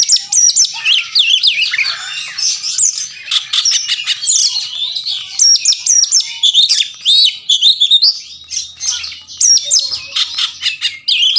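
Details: Long unbroken stretch of oriental magpie-robin song, intended to make mute birds reply, fight and spread the tail. Rapid high chirps, twittering runs and short whistles pour out almost without pause. Brief low hum near the end.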